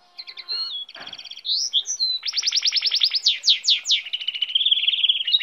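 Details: Goldfinch hybrid singing a fast, varied song. It opens with short high notes, then a rapid buzzy trill, then a run of loud, evenly spaced sweeping notes, and ends with a quick chattering trill.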